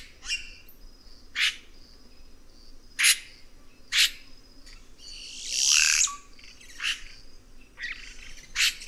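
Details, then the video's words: Red-rumped cacique giving sharp, rasping notes at irregular intervals of about a second, broken midway by a loud, wheezy squeal that slides downward. "Canto do Guaxe"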